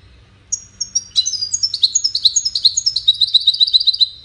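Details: European goldfinch, one of five caged finches entered in a song contest, starting with a few clear high notes, then launching into a fast rolling twitter of tinkling, liquid trills that runs on steadily to the end.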